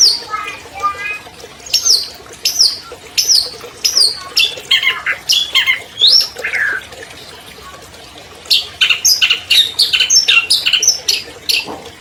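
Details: Captive albino long-tailed shrike, a 2020 champion singer whose recording lures silent birds into song: a varied string of sharp slurred notes and squawks, a short pause, then quick chattering phrases.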